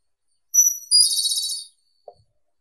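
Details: Japanese robin giving one phrase: a long, thin whistled note held steady, then a fast buzzy trill that fades out. A faint low click follows after a short gap.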